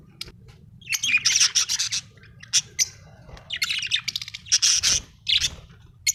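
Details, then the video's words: Happy budgerigar singing in chattering bursts: clusters of fast, raspy chirps and warbled notes, a pause, then more rapid chirping phrases and a single closing chirp, with faint low hum behind. "Happy budgie chirping sound 🥰 budgie singing sound 😍"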